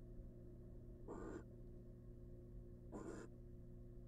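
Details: Female barn owl brooding eggs in a wild, monitored nest box; two brief, harsh hissing rasps nearly two seconds apart, with a low continuous hum behind.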